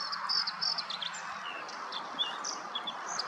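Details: Bluethroat singing on a rainy morning of 22 May as lilac blooms, ignoring insects around it: bright high whistled and chirping phrases, varied and quick, over a constant hiss of rain and dripping water.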